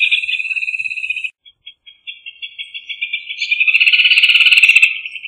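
Rufous hornero giving a loud, ringing run of rapid high notes that pauses, then builds into a fast, overlapping, shrill chatter before trailing off.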